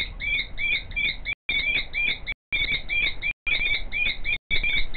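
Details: Common kestrel female crying out in the background as the male works a nest scrape before her; bursts of piercing, ringing notes, several per second, in runs of about a second, against soft low-frequency noise.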